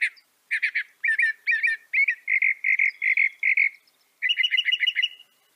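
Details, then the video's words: Northern mockingbird (Mimus polyglottos) delivering a long run of varied phrases: clipped doubled chips, then about a dozen even, rounded whistled notes in a steady row, ending with a fast bright chattering series. "Veja o canto do pássaro, ave zombeteira"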